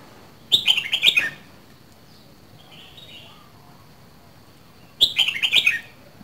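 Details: Caged Red-whiskered bulbul from Dak Lak repeating the same short, lively, down-stepping warbled phrase twice, about four and a half seconds apart, with faint soft calls in the pause and a steady high whine.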